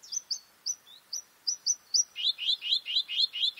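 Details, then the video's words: Bluethroat singing: sharp, high, clipped notes repeated in quick pairs and singles, then switching to a faster, lower run of ringing, rolling notes about four per second. "Bluethroat (Luscinia svecica) song"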